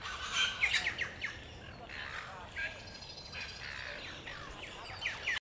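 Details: Musk lorikeets at Banyule Flats Reserve, Melbourne, Victoria, Australia, on 26 September 2021. Several birds give harsh, shrill screeching notes in rapid overlapping bursts, loudest at the start, then a quieter chattering stretch, with soft background noise.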